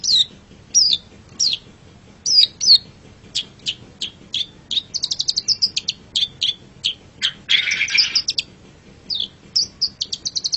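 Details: Long-tailed shrike song used as a master recording to train pet songbirds: loud, varied, high chirps and short downslurred notes in uneven bursts, with quick trilled runs and one harsh, raspy burst near the middle. The background is quiet.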